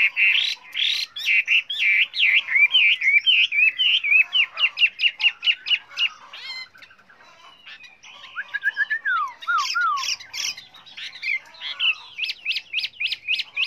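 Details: Chinese hwamei (họa mi) sings a loud, varied song of rich whistles, slurred notes and rapid repeated phrases, with a brief pause midway, shared as a model for training pet hwameis to sing.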